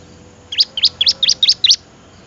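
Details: Bar-winged prinia, a melodious song used as a master recording for training other birds: six sharp, rising chirped notes in a quick even series, each bright and high-pitched, against a quiet background.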